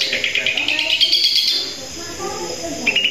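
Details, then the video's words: Long-tailed shrike, called cendet, delivering 'gacor satu titik' song: a dense run of high rapid chatter fading into quieter notes, then resuming with a short high phrase. "Cendet gacor satu titik"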